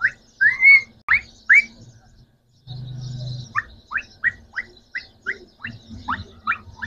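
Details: Three green Pakistani talking parrots: a run of sharp rising chirps, a brief low hum, then a quicker series of short upward-slurred notes about once a second.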